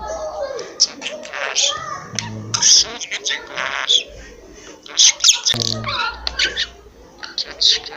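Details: Pet budgerigar kept at home, known for talking and coughing and able to say many words, chattering in a fast, scratchy warble of high buzzy syllables with brief human voice interjections.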